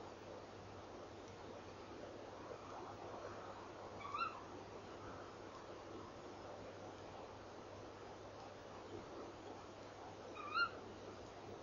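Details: Female tawny owl sitting by her nest box before dawn on 3 December 2013, repeatedly calling; two short rising calls about six seconds apart, with steady hum and hiss between.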